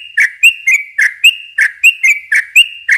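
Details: Yellow-vented bulbul giving rapid 'ropel panjang' chatter, used as a lure for young bulbuls; short liquid notes rise and fall in quick pairs, backed by a thin constant whistle-like tone.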